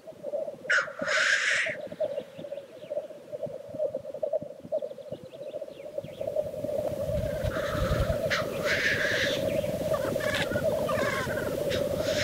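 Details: Lek of black grouse: an early sharp hissing sneeze rises above soft rhythmic bubbling, which grows fuller and denser after about six seconds, with several more hisses joining in.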